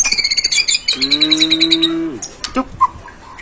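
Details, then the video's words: White-rumped shama in a full isian masteran recording: rapid high chirps repeated several times a second, then a steady low humming tone lasting about a second, followed by scattered sharp clicks and chirps. "MURAI BATU FULL ISIAN MASTERAN PALING AMPUH"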